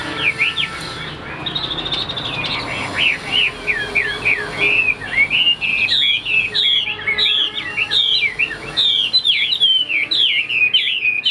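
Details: Chinese hwamei, a tame cage bird noted for singing well, pours out loud, high, rich whistles. Looping, rising and falling phrases run almost without pause, with faint background hum.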